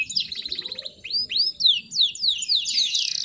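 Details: Female canary lure call to attract males, with bar-winged prinia material; brief fast trill, then clear upswept and downslurred whistles about three per second, ending in a buzzy rapid burst.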